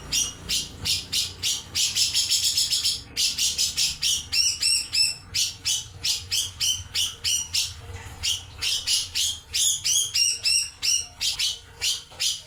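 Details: Cucak jenggot, the grey-cheeked bulbul, delivering a lively song of rapid, high chattering notes in fast runs, with a brief trilled stretch and varied slurred whistles between.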